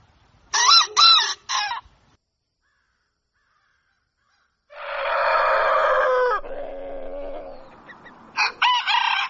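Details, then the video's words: Rooster at dawn: three quick bursts of wavering calls, a pause, then a long, rough, broad crow that trails into a lower note, ending with more short calls. "Canto Do Galo | Galo Cantando Ao Amanhecer | Som Do Galo | Galo Cantando Para Acordar"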